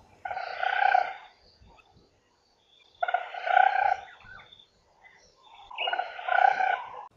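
African Broadbill giving three loud, buzzy, trilling bursts, each about a second long, spaced roughly three seconds apart, with faint background noise between them.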